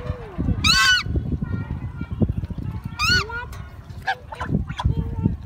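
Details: Geese honking: two loud, harsh, nasal honks rich in overtones about two seconds apart, with softer shorter calls scattered between and steady low background rumble.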